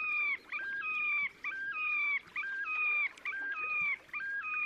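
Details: A Terek sandpiper gives display song in the Oka Nature Reserve, Russia, on 30 April 2019: ringing, stepped, fluty phrases about once a second, each with a rolling upward-then-level lilt, over faint background hiss.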